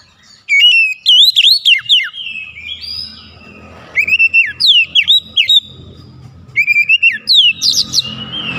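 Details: Oriental magpie-robin song played to provoke a silent bird to sing, three bursts of rich whistled phrases with swooping notes, each separated by quieter pauses with faint low background rumble.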